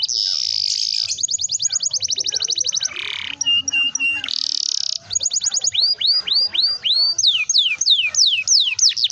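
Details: Canary with a long rolling song, used to get young canaries singing: buzzy bursts and fast high trills, then rising hooked whistles and sharp falling notes repeated about twice a second; faint low hum throughout.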